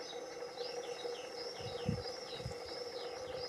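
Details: European greenfinch juveniles, the first of 2021, in a garden being fed by the male: a fast run of thin, arched chirps repeated about three times a second, with low thumps and background hum.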